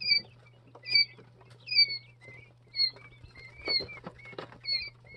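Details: Young Jumbo White Quail, two and three days old, utter thin high peeps that slur downward, spaced unevenly roughly once a second, with soft tapping and pecking noises and a low electrical hum behind.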